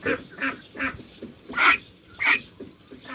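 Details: Male Khaki Campbell duckling in a duck pen gives short, breathy raspy calls about every half second, with two louder hoarse rasps, not a quack, which marks it as male; a female quacks behind.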